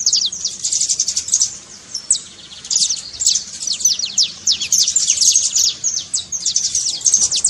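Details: Saffron finch trill aimed at waking song in a quiet canary: quick bursts of sharp, high chirps and downward slurs, broken by short silences.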